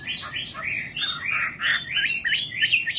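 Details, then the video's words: Nightingale song: a quick run of bright, swooping notes, each slurring up and down, with the phrases growing higher and sharper toward the end. "Singing nightingale. amazing bird song"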